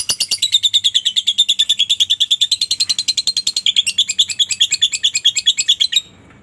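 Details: Lovebird ngekek song used as a lure to get other lovebirds singing: a long, rapid, unbroken run of shrill, high chattering notes, about seven per second, changing to a slightly different rhythm after four seconds and ending abruptly.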